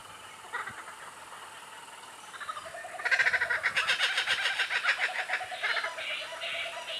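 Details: A young laughing kookaburra listens to other kookaburras, then gives a few soft, hesitant chuckles before breaking into a loud, rapid, rollicking laugh of rising and falling hoots, joined by his parent.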